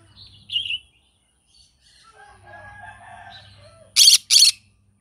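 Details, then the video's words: Morning singing from a green-cheeked conure: a couple of short squeaky chirps, a stretch of soft twittering, then two sharp, harsh screeches in a row, with light low hum behind. "Green cheek conure singing sounds in the morning"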